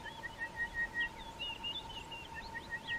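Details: Orange-breasted bush-shrike, a bird of thickets and dense vegetation, calling during an early-morning game drive. Short, clear whistled notes are repeated quickly, mixed with higher twittering phrases, over a steady unbroken hum.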